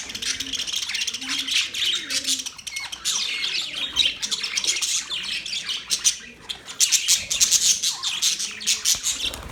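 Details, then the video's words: Australian parrots, budgerigars, keeping up a continuous busy chatter of high chirps, squeaks and warbled notes, growing louder and more crowded toward the end. "Sound of Budgies parrot Budgies chirping sound"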